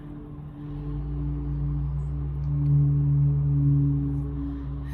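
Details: Low, sustained singing-bowl tones hum and swell in the middle, ringing on without any animal sound.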